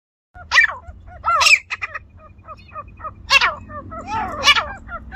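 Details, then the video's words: Grey francolin (teetar), village setting: loud, harsh, irregularly spaced calls with shorter clucking notes between them, over a low background hum. "Village style gery francolin teetar ki zabardasth sound effect"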